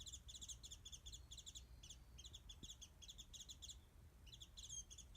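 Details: Warbling white-eye singing overhead above a backyard feeding place stocked with mandarin oranges, a Japanese bush warbler perched nearby: long, fast, high-pitched twittering warble of clustered chirps, briefly pausing, then resuming, over faint low rumble.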